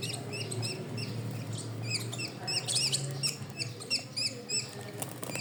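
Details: A pet bird keeps up a rapid, uneven series of thin high chirps, roughly three per second, with a constant low hum underneath.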